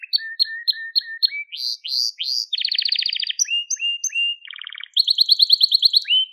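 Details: Crested Gloster canary in varied song: evenly spaced flat whistles, upward-sweeping notes, a dense buzzy roll, level slurred whistles, a low rattling tour and a bright rapid trill, all in quick succession.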